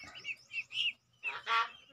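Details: Crested myna kept as a pet and being tamed: a few quick high chirps, a short pause, then a loud, rasping, broadband squawk that ends the phrase.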